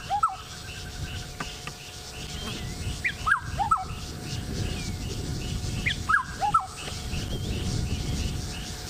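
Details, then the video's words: Black-headed oriole perched in a tree, 28 October 2016, gives repeated mellow whistled phrases of two or three liquid, down-slurred notes roughly every three seconds, over low rumbling background noise and faint higher twittering. "Black Headed Oriole With A Beautiful Song"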